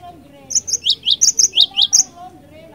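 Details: Cinereous tit singing in the rolling ngerol ngeplong style, used as a lure: about eight high, sharp notes alternating between a very high pip and a slightly lower downslurred chip, delivered in a quick even run.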